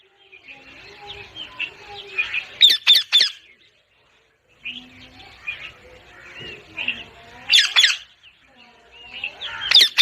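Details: Parrot calls: a busy background of soft chattering notes, broken by loud, harsh squawk bursts near the third and eighth seconds and again at the end.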